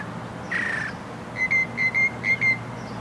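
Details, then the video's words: Mockingbird singing: a long whistled note near two kilohertz, then a quick run of short, bright, evenly pitched whistles repeated about twice a second, over a low steady hum. "Mockingbird in Concert!"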